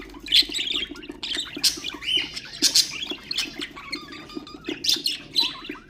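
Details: Budgerigars kept as ornamental birds, vocalising to stimulate other birds: loud squawky chirps and twittering runs, a drawn-out rising whistle midway, then more shrill chirps, over a steady low hum.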